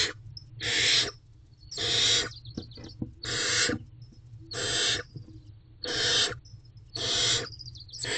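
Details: Nest-box barn owls at 5:41 am, 26 April 2023, during a meal delivery by the male: steady, breathy hissing screeches about once a second, each roughly half a second long, over faint low rumble.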